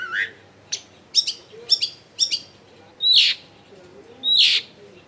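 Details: Long-tailed shrike song played so silent shrikes will start singing; spaced sharp chirps and doubled notes, then two loud harsh, rasping calls, over a low background murmur.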